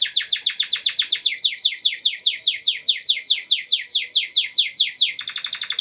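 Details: Caged canary imitating a lovebird, kept in Sumedang as a song tutor for larks, delivering a fast steady series of sharp descending chirps about two per second, then a quicker buzzy trill at the end.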